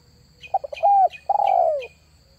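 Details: Spotted dove luring call used to attract wild doves: a few short stuttering notes, then two drawn-out mellow coos, the second longer and falling. Faint higher chirps from another bird sound above.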